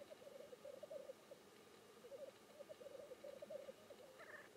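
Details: Black grouse at its display giving rolling, liquid bubbling phrases in steady succession, ending with a brief hiss just before the close.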